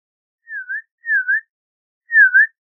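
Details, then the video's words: An Audubon's oriole (Icterus graduacauda) sings three slow, sweet whistled notes, each dipping slightly then rising, with brief pauses between. "Audubon's Oriole Song! Audubon's Oriole Call! - Turpial Amarillento Canto"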